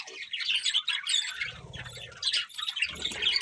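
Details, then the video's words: Budgies chirping with softer, scratchy twitters and a few harsher squawky notes, over a low rumbling background noise that comes and goes. "Beautiful Budgies Chirping Sounds"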